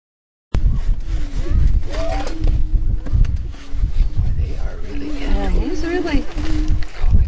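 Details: Greater Prairie-chickens at a spring lek near Crookston, northwest Minnesota, April 27, 2013, performing their mating dance: after a brief silence, a low continuous hum with scattered whooping cackles, partly masked by heavy rumbling and broadband noise.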